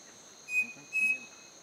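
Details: Striped cuckoo in Manizales giving two clear, pure whistles about half a second apart, over a steady high insect drone.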